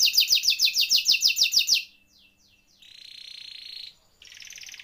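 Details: Canary singing, used as tutor or prompting song for quiet canaries: a string of loud rapid downward notes, a pause with faint sweeps, then a steady buzzy trill and a softer one.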